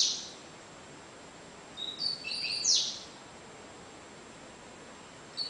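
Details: A double-collared seedeater sings a single Cigano-style phrase: a brief high note, then layered thin whistles sliding into a quick descending buzz. Long hissy pauses surround the phrase.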